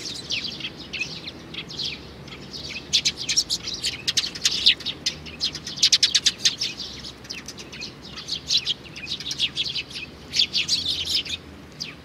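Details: Young sparrow recorded in June 2019, giving a long sequence of shrill, clicky chirps, sparse at first, then dense rattling bursts, with a final flurry near the end.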